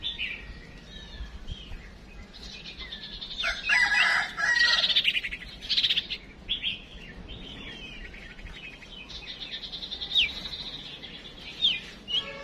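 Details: Female songbird decoy calling to push males to sing: loud bursts of sharp chirps and twittering notes, then scattered high whistled calls over a low background hum.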